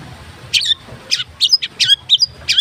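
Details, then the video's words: White-rumped shama in the wild, singing a rich, varied song: short, high, sharp whistled phrases and quick slurred notes, spaced about every half second over a quiet low hum. "Mb isian mewah"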